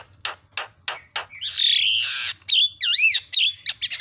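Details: Javan myna chattering at speed: several separate dry clicks, then a long harsh rasping squawk, followed by wavering looped whistles that rise and fall, ending in quick clipped notes.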